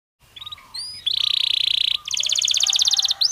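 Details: Belgian canary singing naturally: a few short whistled upslurs, then a sustained buzzy high roll and a fast, even, rattling trill of rapid repeated notes, with a faint low hum beneath.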